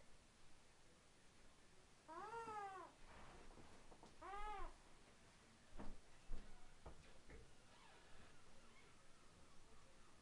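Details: Young pet eclectus parrot giving cute baby noises indoors: two arched, harmonic whining squeals about two seconds apart, followed by scattered clicks and soft knocks in a quiet room.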